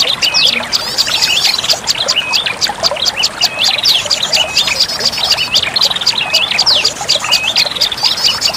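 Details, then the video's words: Olive-backed tailorbird lure call: rapid, crowded high chipping and hooked whistled notes, many voices overlapping without pause. "suara pikat burung prenjak lumut ampuh"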